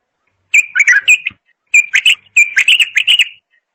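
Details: Lively bulbul song of three tight phrases of sweet chirps and warbles, delivered in fast succession with short gaps, clear and close against a silent background.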